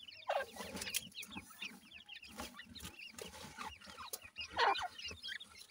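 Grey francolin chicks give quick, thin high peeps in scattered bursts, with soft clucks and scratchy rustling underneath.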